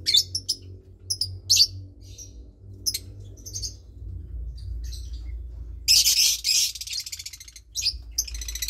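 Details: Lovebird chick about 20 days old, nest of two chicks cared for by Parblue Turquoise and Euwing Blue Opaline parents; scattered sharp high chirps, then a loud two-second burst of raspy chatter and trailing chirps, low rumble beneath.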